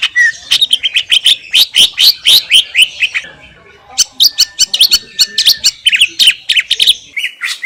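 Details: Wild greater green leafbird from Indonesia in clear masteran song, a fast chattering stream of sharp high chips and short whistles, broken by one brief pause midway, no other sounds.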